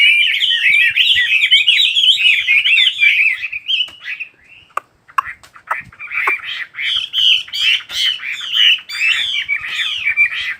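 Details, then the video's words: Wild bird song, a fast, dense run of twittering, warbled notes sliding up and down, pausing briefly midway with a few sharp clicks before the chattering warble resumes. "chim hót"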